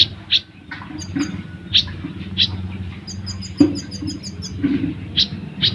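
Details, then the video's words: ['Olive-backed sunbird singing besetan for caged-bird training: scattered sharp chips mixed with quick runs of very high, thin twittering notes over a rumbling background.'] "Burung Kolibri Ninja / Konin Gacor Full Besetan & Tembakan Rapat untuk Masteran ataupun Pancingan"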